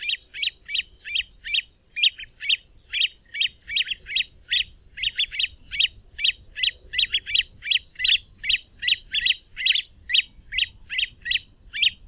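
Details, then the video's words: Great crested grebe giving clipped high piping notes, about two and a half per second, over a quiet background, with occasional higher wavering whistles mixed in. "Great Crested Grebe (Podiceps cristatus) Call, Song & Sound"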